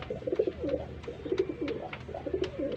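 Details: Domestic pigeons being paired up for breeding give repeated low, throaty rolling coos in three clusters, with light tapping and clicking noises in the background.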